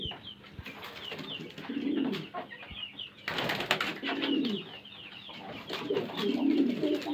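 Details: Fancy domestic pigeons kept as a hobby in Karachi, Pakistan: soft, low cooing swells rise around two, four and six and a half seconds, while thin high chirps and twitters run almost constantly above.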